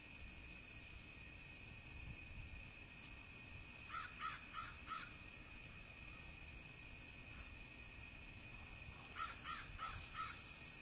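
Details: Bald eagles at a nest in southwest Florida, January 8, 2024, late morning: two bursts of four thin, chirping, stuttered notes, about six seconds apart, over a steady background hum.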